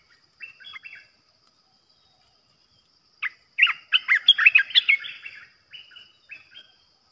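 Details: Trapping decoy bulbul in a cage, calling in short chattering phrases, then a dense burst of rapid, jumbled liquid notes, trailing into a few quieter phrases, with a faint steady hiss behind.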